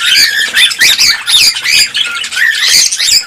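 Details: Caged cockatiels, call played to spur mating and production: dense noisy chatter of squawks and wavering whistles from several birds at once, steady throughout.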